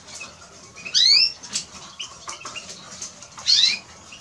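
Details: Eurasian siskin singing brief high twittering phrases, each a quick upward-slurred whistle with a thin overtone, with two louder sweeps about two and a half seconds apart and soft chips between them.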